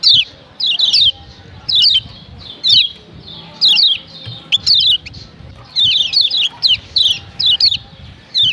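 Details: Female yellow white-eye, known locally as kecial kuning Lombok, calling to provoke males into calling: short high downslurred chirps in quick pairs and triplets, repeated roughly once a second, with faint low background rumble.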